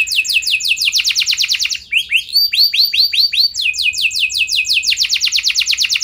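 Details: Lure canary singing to provoke replies from other canaries: quick series of descending high notes, a run of slower looping arched whistles, then fast repeated sweeps again.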